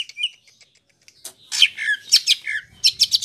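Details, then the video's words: Greater green leafbird in its rolling 'ngerol' song: a few faint whistles and a click, then loud bursts of harsh, buzzy, jumbled notes in quick succession. "Suara Burung Cuc4k Ijo Ngerol Dur4si P4nj4ng"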